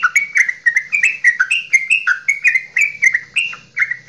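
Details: Javanese straw-headed bulbul, a kept songbird, delivering long goklikan-style song meant to spur other birds into singing: loud, rich slurred whistles tumbling up and down in a fast, unbroken chain of about four notes per second.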